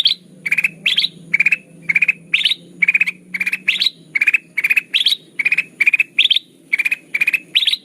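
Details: Sooty-headed bulbul call played to lure birds into traps: continuous rapid chattering bursts about twice a second, alternating lower clusters with higher, upward-sweeping ones.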